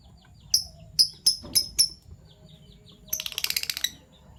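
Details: Morning chirping of Fischer's lovebirds, a PB violet and a euwing gold opaline: five sharp high chirps about a quarter second apart, a short pause, then a fast buzzy rattle of notes.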